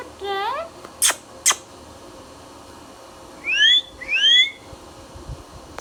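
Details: Indian ringneck parrot, a green pet talking bird. A short rising harmonic call and two sharp clicks are followed by two clear upward-slurred whistles about half a second apart.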